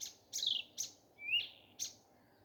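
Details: Morning song of a common nightingale: separate loud phrases, a harsh buzzy burst, then a clear whistle sliding upward and a final sharp note. Distinct silent gaps fall between the elements over a quiet, low background.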